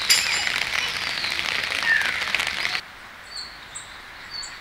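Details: A Black-faced Bunting in a park in winter gives three thin, high, sharp 'tsip' notes about half a second apart, preceded by a burst of loud broad rushing noise.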